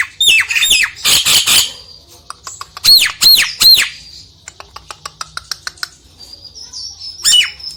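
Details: Nias hill myna song meant to coax a reluctant myna into singing: loud harsh squawks, then three clear arched whistles sweeping down, scattered sharp clicks and thin high notes, and a final squawk.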